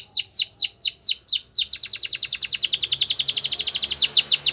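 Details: Belgian canary singing in the morning: a run of sharply falling high whistled notes, then a fast even trill of downward-sweeping chips repeated many times a second, clean and loud with a quiet background.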